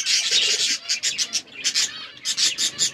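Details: Budgies in a forest-environment aviary making harsh, raspy, buzzy chirps in fast bursts, a scratchy chatter pulsing several times a second with short breaks.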